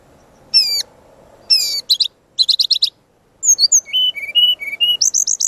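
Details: Energetic brown-chested jungle flycatcher training song: bold downslurred whistles, dense chattering bursts, then a run of clear descending whistled notes and looping high phrases.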